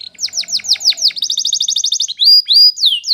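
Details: Spanish Timbrado canary song for training: quick falling chirps, then a rapid trill of evenly spaced notes, ending in drawn-out level whistles.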